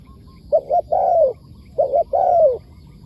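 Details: Two cooing phrases from a wild spotted dove answering a decoy bird, each a brisk paired note leading into a long, smooth, descending coo.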